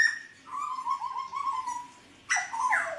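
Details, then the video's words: A Hooded butcherbird, mottled 'blorok' form, singing, 29 October 2019: a long, slightly wavering low whistle that slowly falls, followed after a pause by a harsh burst that slides into a lower note. "Kicauan Jagal Papua Gacor"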